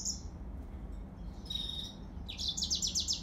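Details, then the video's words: Yellow-fronted canary with brief high chirps at the start, a thin sustained whistle midway, then a fast, rhythmic series of sharp rising notes at the end, over a steady low hum. "تغريد ياسمين موزمبيق"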